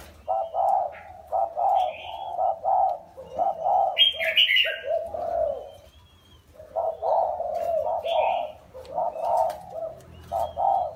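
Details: Caged spotted dove, originally wild, four years in captivity: rhythmic low coo phrases in bursts, with higher chirping notes and a short quiet stretch midway.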